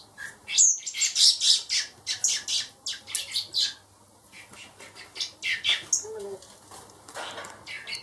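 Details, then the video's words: Harsh, rasping squawks pour from four baby blackbirds hand-reared for release, loud and rapid for the first few seconds, then quieter scattered calls with a faint voice-like sound. "Baby Blackbirds"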